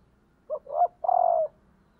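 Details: Female spotted dove, a decoy bird, calling to stimulate males: a short two-part note, then a longer steady hollow coo, three low mellow syllables over about one second against a quiet background.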